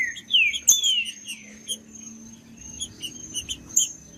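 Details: Rufous-bellied thrush in the wild, its song used to excite captive tournament birds; a few bright, sliding whistles rising and dropping open the phrase, then scattered high chirps and ticks against a constant faint high-pitched tone.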